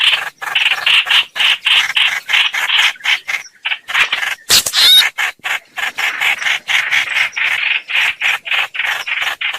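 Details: Streak-eared bulbul played as a lure for bird trapping: dense, harsh, rasping notes repeated rapidly for nearly ten seconds, with a brief broadband crackle in the middle.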